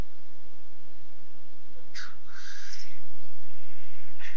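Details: Black grouse courtship display at a lek in the Alps, France: a pair of harsh hissing sneezes around mid-clip and another at the end, otherwise quiet.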